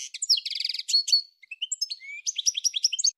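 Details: Goldfinch singing: a fast, high twittering run of rapid trills, buzzy notes and liquid whistled slurs, a short pause near the middle, then more tumbling chirps, all clean with no other sounds.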